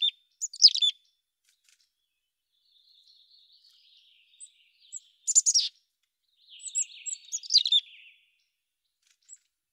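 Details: Mountain chickadee giving scattered high chirps over about ten seconds: clusters of sharp, very high notes, a faint thin trill in between, and a longer run of twittering, slightly buzzy notes near the end.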